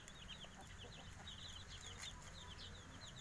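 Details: Several five-day-old kampung chicks of Java chirping busily, their shrill descending peeps tumbling over one another in quick succession, with faint low hum and occasional tapping noises behind.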